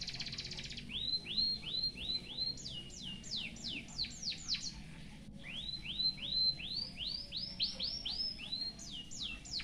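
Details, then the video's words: White-headed munia singing a full canary-style song used for tutoring: a high hoarse burst, then runs of rising, arched whistled notes about four per second, broken by fast descending slurs, with a low background hum. "BURUNG EMPRIT HAJI FULL ISIAN KENARI BIKIN GOYANG GOYANG COCOK BUAT MASTERAN"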